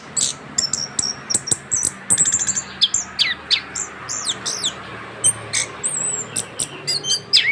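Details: Young orange-headed thrush, kept bird, singing continuously just after finishing its moult; varied high whistles, chirps and sharp mimicking notes in rapid bursts, with quieter gaps between phrases.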